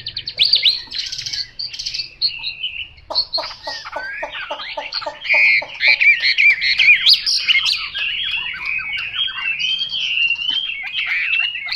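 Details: Chinese hwamei opening with buzzy, rattling notes, then a rapid series of sharp clicks around three seconds in, building into a long, loud flow of varied slurred whistles and trills.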